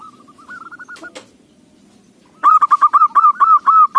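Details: Local zebra dove, voice suited as a lure: a few soft rolling coos, a sharp knock, a quiet gap, then a loud fast series of stuttering cooing notes.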